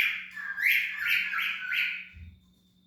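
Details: Cockatiel calling in a short series of four rising, raspy squawks about a third of a second apart, over a faint steady hum.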